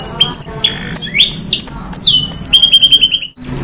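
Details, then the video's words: Energetic canary singing long, fast bursts with fill phrases: sharp chips and swooping whistles lead into a steady repeated trill that ends with an abrupt brief pause before the song resumes. "SUARA KENARI GACOR NEMBAK PANJANG ISIAN | CANARY SINGING"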